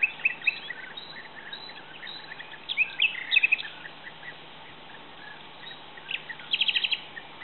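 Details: European bee-eaters calling while mating: short, bright chirping notes scattered throughout, densest around three seconds, ending in a quick run of about six clipped notes near seven seconds, over a faint steady low hum.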